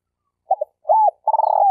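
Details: Decoy spotted dove for trapping in Malaysia: two quick soft notes, a smooth arched coo, then a long pulsing, purring coo that glides downward. Clean, with no other sounds.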